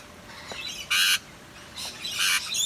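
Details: Wild Rainbow Lorikeets, drenched and olive-looking on a dreary rainy lockdown day in eastern Australia, sheltering back up in a tree, give harsh high screeching squawks in short bursts, near one second and just after two, over soft hiss.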